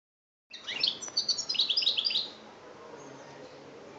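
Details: European goldfinch from Algeria, recorded in 2013, singing in the chbab style: a quick burst of high, tinkling twittered notes lasting about two seconds, then quiet background hiss.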